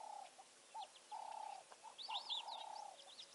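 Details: African harrier-hawk at Rosie's Pan, 4 February 2020, filmed by live cam, giving long, level, plaintive whistles, each about half a second, with high twittering chirps from small birds overhead.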